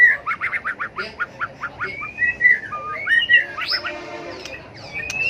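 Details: Tail-flicking white-rumped shama delivering fighting song meant to stimulate and train birds; opens with a rapid series of about ten downslurred notes, then flowing whistles and warbles, softer high notes at the close.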